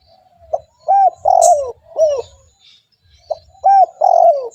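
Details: Spotted dove cooing insistently, recorded to lure other doves: two deep, soft phrases, each a brief pip, an arched coo and a drawn-out descending trill-coo, with one sharp high tick near the start.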